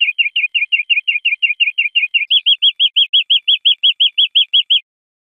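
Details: European greenfinch singing on a teaching recording for cage birds. A quick chattering trill of flicked notes shifts to a clear, evenly paced run of slightly higher rounded notes. No other sounds are heard.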